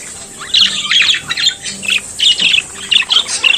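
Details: Budgerigar chattering: quick twittering and scratchy warbled notes run together in a lively stream after a quiet opening half second.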